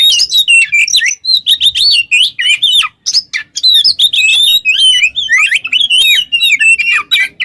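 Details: Kacer (Oriental magpie-robin) singing in energetic ngobra style as a master recording for songbird training; clear whistled phrases with slurred twists and chips, separated by a few brief pauses.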